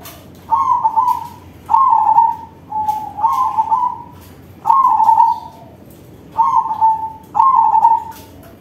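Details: Big-voiced crossing-bred zebra dove singing: short loud vibrating coos, low and steady, given in pairs and singles roughly every second or two, six phrases in all.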